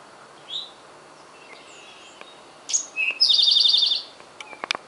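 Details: A male Eastern Towhee at Centerville, Massachusetts, on a spring morning, 7 May 2012, sings its 'drink-your-tea' phrase: a high note, a lower note, then a fast ringing trill; faint calls from other birds come before and after.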